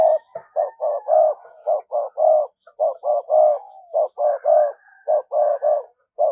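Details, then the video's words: Lure spotted dove cooing steadily in the thúc gù style to call in wild doves: many deep, hollow coo notes in quick clusters of two to four, almost continuous for six seconds. "cu gáy mồi cây thúc gù bài bản"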